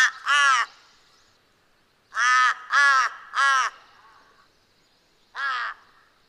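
A Large-billed Crow gives five hoarse, harsh caws: a single note, a quick run of three, then one more after a pause. No other sounds intrude.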